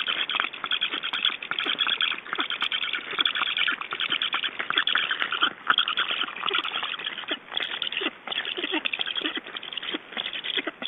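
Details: Black storks at a nest in Estonia during feeding, 6 July 2012, around 14:56–15:10: dense, harsh, raspy chattering runs almost without pause, with rapid overlapping strokes and short gaps near the middle and end.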